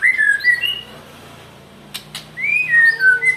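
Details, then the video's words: White-rumped shama, described as angry, whistling rising and falling phrases at the start and end, with two sharp clicks between. "marah dia gaesss"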